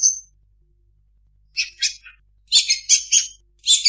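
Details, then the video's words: Long-tailed shrike mimicking other birds: a thin high whistle, a pause, then clusters of harsh buzzy chirps and sharp notes. "Suara burung cendet mp3 banyak isian"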